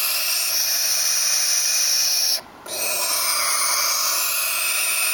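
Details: Ornery baby barn owls give a steady, harsh rasping hiss that breaks off once for a moment midway, then resumes.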